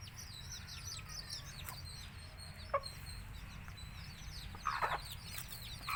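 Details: Country chicken (nattu kozhi) chicks in Tamil Nadu peeping: scattered high, thin falling chirps, partly masked by several short bursts of handling or knocking noise.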